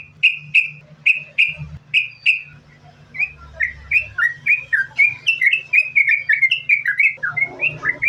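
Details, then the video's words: Yellow-vented bulbul (trucukan) in continuous 'sambung ropel' song, played as a lure to make bulbuls sing: five clear, evenly spaced whistles, then a long, rapid chatter of bubbly slurred notes over a low hum. "Trucukan Gacor, Sambung Ropel,Ini Ampuh Buat Pancingan Trucukan Agar Bunyi"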